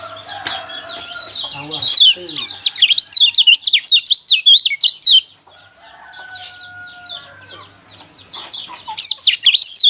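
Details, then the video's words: Yellow white-eye song meant to provoke caged birds into singing: fast high zigzag twitters in a dense burst over about three seconds, a quieter pause with a steady tone, then another loud twittering burst. "burung pleci kecial kuning mana yang nggak kepancing emosinya dengan suara seperti ini"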